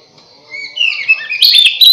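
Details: Oriental magpie-robin lure song to attract others of its kind: a soft whistle building into loud, sharp, sweeping chirps and warbled notes.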